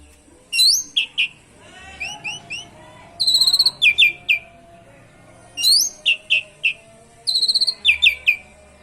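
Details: Asian pied starling in full song with canary imitations, used to prompt other birds to sing: sharp high whistled notes and downslurred chips in short bursts, mixed with brief buzzy trilled phrases, with gaps between groups.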